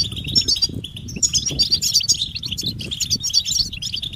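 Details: Many European goldfinches twittering together, mating and readiness calls to stimulate males; rapid high chirps in quick overlapping bursts, about four per second, over faint low noise.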